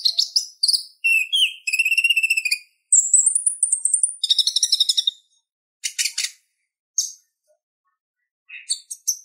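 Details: Purple-throated sunbird chatter serving as tutor material for kolibri ninja: fast squeaky twitters, a buzzy trill, a thin drawn-out whistle, a grating rattle, then scattered sharp chips with short silences between.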